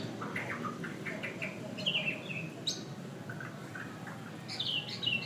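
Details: White-rumped shama song of scattered whistled and chirped notes, some sliding down, with brief sharper high phrases near the end over a steady low background hum.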